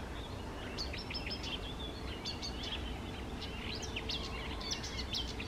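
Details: Eurasian reed warbler at small lakes on the morning of 28 May 2024, its song quieter here: scattered grating and chipping notes in loose repeated groups, partly masked by a strong low background rumble.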